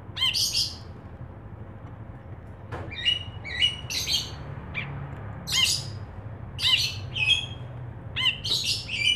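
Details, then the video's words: Ashy bulbul calling in song: short, harsh, high chirps spaced about a second apart, some paired, with quieter gaps and low background hum. "Brinji Kelabu Gacor"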